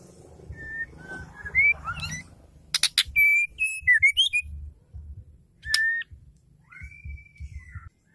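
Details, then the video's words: Female Oriental magpie-robin, whose song is said to set males singing: varied whistled notes, rising slurs and short phrases with a few sharp clicks, then a long level whistle near the end, over low background rumble. "Murai batu betina | Murai betina gacor"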